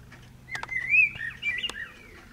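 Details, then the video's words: Clear mellow, warbling whistled phrase from a Eurasian blackbird trading song with a second blackbird nearby, one loud rising and falling run of notes with a few sharp clicks, low steady hum behind. "Blackbird chatting with friend"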